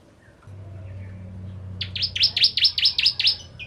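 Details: A low steady hum runs underneath as a bar-winged prinia breaks in with about eight loud, high, downward-sweeping chips in quick succession.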